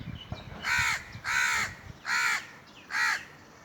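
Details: Crow calling four times, each caw a drawn-out harsh note about a third of a second long, evenly spaced with near silence between.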